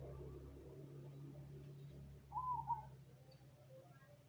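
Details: Cemani zebra dove giving a single brief, trilled coo phrase midway through, over a constant low droning background.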